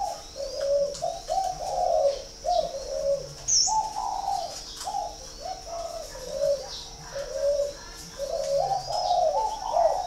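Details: Spotted doves at a breeding farm in Ba Vì, Hanoi, northern Vietnam, cooing in a busy stream of short overlapping hollow notes and phrases, with a brief high chirp and a continuous faint high hum.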